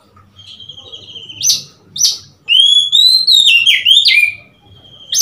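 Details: Oriental magpie-robin on 3 March 2021 gives two short sharp upslurred notes a half second apart, then a loud, continuous warbling whistle of linked rising and dipping notes lasting two seconds, with faint low hum underneath.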